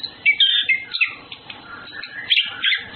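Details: Orange-headed thrushes, male and female, courting: loud bursts of slurred whistles and rapid chirps, falling notes early, a bright high flourish near the end, short pauses between phrases.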